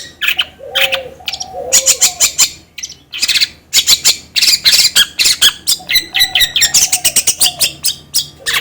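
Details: Long-tailed shrike song meant to stimulate another bird to sing: scratchy, buzzy bursts in quick succession with a few lower slurred whistles and twittering notes.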